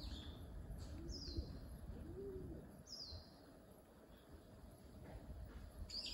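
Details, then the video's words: Common kingfisher on the Zenpukuji River, smartphone recording through a telephoto lens: two piercing, high, falling whistles about two seconds apart, with soft low cooing arcs from another bird and steady low background rumble. "善福寺川 カワセミ"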